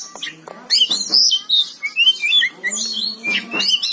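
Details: Oriental magpie-robin singing gacor, a lively string of clear whistled notes jumping between high and mid pitches, with short chirps, a few scratchy notes and brief gaps between phrases.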